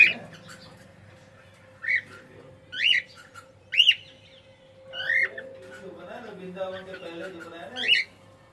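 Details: Pet cockatiel singing indoors: separate bright whistled notes, each sliding up then down, spaced about a second apart, over a steady low hum and a faint human voice.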